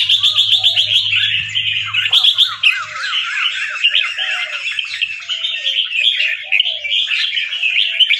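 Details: A fancy white albino Red-whiskered bulbul with red eyes, caged and bred for singing contests in Chonburi, Thailand. Rapid stuttering notes open into continuous rolling warbles with wavering lower whistles behind, plus a low hum in the first two seconds.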